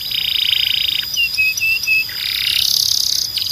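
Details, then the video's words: Belgian canary delivering a sustained buzzy roll, four short level whistled notes, then another rising buzzy roll over a steady high tone. "Don’t Play This Near Your Belgian Canary… It Might Sing Non-Stop"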